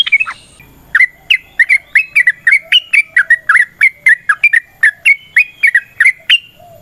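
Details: Steady series of short, liquid bubbly chirps from a yellow-vented bulbul, repeated about three per second for several seconds, sung as a lure to make other bulbuls sing back.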